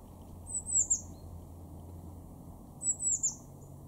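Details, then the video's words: Blue tit in a garden at Weener, East Frisia, in Germany's far northwest, March 2024: two bursts of very high, thin notes sweeping downward, each of three quick elements, about two seconds apart over low background rumble. "blue tit 0:00"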